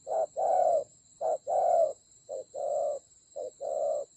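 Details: Spotted dove used as a decoy in a fierce fight, recorded in Vietnam's Central Highland mountain forests on 19 October 2020. It gives three two-part cooing phrases of a clipped note then a drawn-out mellow coo, over a constant thin high tone.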